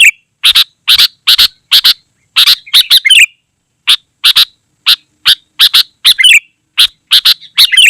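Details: Busy, vigorous sooty-headed bulbul song of paired harsh bursts and occasional bubbly, wavering warbles, delivered at a quick, uneven pace.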